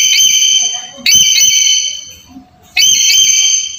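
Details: Black-capped lory giving piercing, steady whistled calls meant to stimulate a quiet bird: three long bright notes with a slight rising kink at the onset, separated by brief pauses with faint background murmur.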